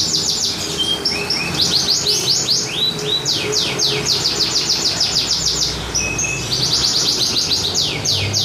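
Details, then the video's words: Competition canary, a winning contest singer, delivering rapid high rolling trills of repeated descending notes, broken by brief pauses and short held whistles before the trilling resumes, with constant background murmur. "Kenari Voltage juara andalan"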